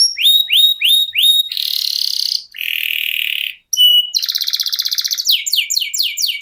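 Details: Canary song valued for long duration and varied phrasing: repeated rising whistled notes, a sustained buzzy trill, a low rattling roll, then quick descending repeated syllables.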